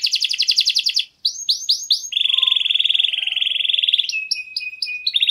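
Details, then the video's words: Clear, loud canary song used to coax other canaries into singing: rapid trills, a brief pause, a few swooping whistled notes, then a long steady rolling trill and a lower sustained tone ending in chirps. "KENARI GACOR SUARA JERNIH, PANCINGAN KENARI MACET AGAR CEPAT RAJIN BUNYI"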